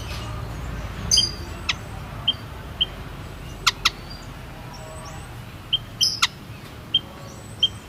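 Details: Lonchura maja, the white-headed munia: sparse high piped notes and sharp ticks, irregularly spaced with pauses of up to two seconds, over faint low background noise.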